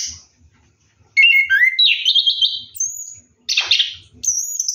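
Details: Orange-headed thrush singing in the rolling ngeroll style while bathing at night: separate bursts of high whistled, slurred notes and buzzy trills, with short silent gaps between phrases.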